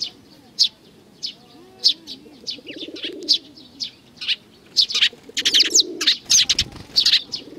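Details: Many sparrows chirp at a Tenmangu shrine, Japan, 22 May 2019. Busy, overlapping high tweets grow denser toward the end, with low cooing underneath in the middle.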